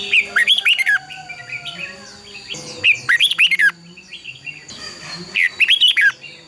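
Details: Red-whiskered bulbul giving a fighting song, used as a lure to spur other birds to sing: three short, bright, warbled phrases of slurred whistles, one about every two and a half seconds, with low humming between them.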